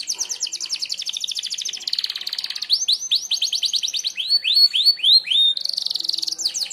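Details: Canary, merlok type, delivering a sharp shot song meant for bird mastering: rapid rattling trills at first, then bright repeated downslurred whistles and a final buzzy roll.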